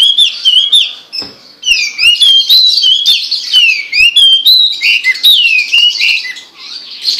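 A Hwamei sings a loud, rich run of varied whistles, slurred up and down, with quick trills and phrases tumbling almost without pause.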